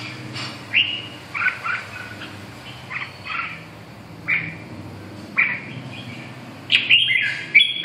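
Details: Red-whiskered bulbul giving short, bright warbled phrases at roughly one-second gaps, each a quick cluster of chirpy notes, ending in a louder, sharper burst; faint low background hum.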